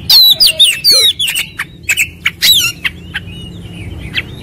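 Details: Oriental magpie-robin (kacer) lure song, ngobra type: rapid rattled trills and descending whistled sweeps, abrupt loud chips and scratchy phrases, then quieter scattered notes fading toward the end.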